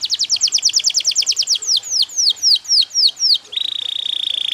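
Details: Yellow canary singing: a fast run of sweet, high notes falling in pitch, slowing into longer swooping slurs, then ending in a rapid, even, buzzy trill.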